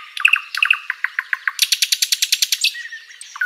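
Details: An Asian brown flycatcher sings a brisk run of a few paired high chirps, a rapid rattle-like series of bright, buzzy notes and closing thin whistles; a song used for tutoring other birds.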